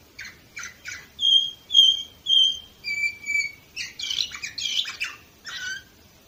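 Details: Domestic canary singing, recorded in Varna, Bulgaria, in 2018: a varied high song of quick chirps, then clear level whistled notes held about half a second each, ending in dense buzzy trills and fast rattling bursts.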